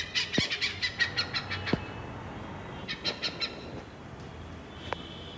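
Oriental pied hornbills give a rapid run of harsh, cackling notes, about eight in under two seconds, then a shorter burst; a few sharp knocks sound between.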